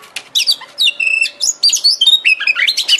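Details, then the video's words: Oriental magpie-robin (kacer) lure song to make the bird sing and spread its tail: a lively series of whistled notes, some long and steady, mixed with rapid chirps and slurs. "Pancingan KACER agar GACOR dan EMOSI BUKA EKOR"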